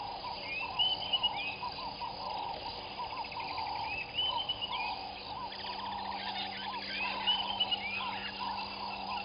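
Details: A weaver colony of Southern masked weavers at nests beside a waterhole in Djuma Game Reserve, South Africa, early morning, January 2021. Continuous wheezy rattles and rising whistled slurs overlap, over a constant low electrical hum.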